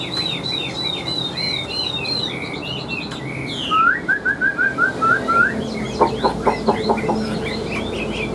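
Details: Large caged Chinese hwamei with yellow bill and legs singing a rapid whistled sequence, then a descending series of rising slurred notes, and finally a run of sharp harsh clicks.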